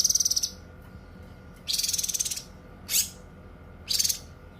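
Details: Song of the cucak kinoi, offered as tutor and therapy material: a high rattling trill, a pause, a longer buzzy pulsed phrase, one sharp upward whip note and a closing short trill.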